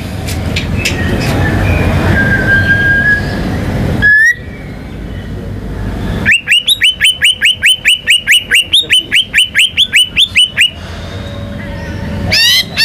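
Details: Rumbling noise and a faint whistle, then a white-rumped shama rattles off a long, fast run of identical sharp chipping notes, about five per second, for over four seconds, followed by noise and a closing high trill.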